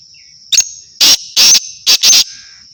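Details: Home-bred black francolin (kala teetar) delivering a strident, rasping call in five harsh bursts, two short and three longer, over a constant faint high whine.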